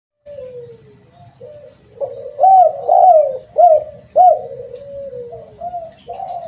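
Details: Spotted dove call used as a lure: a soft, drawn-out falling coo, then four louder hooked coos about every 0.6 seconds, trailing into softer mellow notes.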